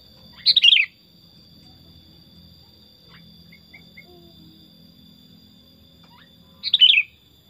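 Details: Tame pet sooty-headed bulbul giving two short, bright, bubbly phrases that tumble downward, about six seconds apart, with a quiet gap between and a steady high electronic whine behind.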